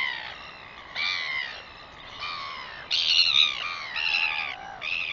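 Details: Northern royal albatross on 21 September 2021 giving loud, rasping, harmonic calls in a series of about six bursts of roughly half a second each, some with falling pitch, with little background noise.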